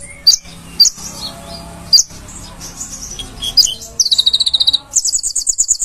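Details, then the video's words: Konin on a master recording for training cage birds: a few isolated sharp high notes over soft twittering, then a fast rattling high trill and a buzzy high phrase. "burung konin gacor"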